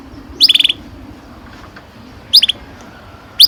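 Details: Canary producing short bursts of rapid chirpy notes, three quick groups spaced about two seconds apart, used to prompt young birds to sing, over low background noise.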